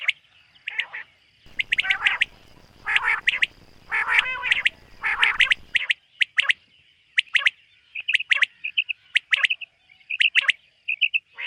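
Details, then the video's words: Common quail in a summer meadow in the morning giving sharp, clipped notes in quick groups, repeated through the clip, with other small birds chirping and a rumble of wind in the middle. "suba batair ki awaz"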